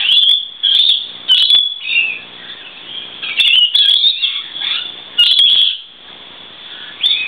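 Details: A flock of lorikeets sheltering from the rain on a verandah on a wet day gives shrill, screechy chatter, with harsh bursts about every second over steady high twittering, while a male flaps and stands tall courting a female.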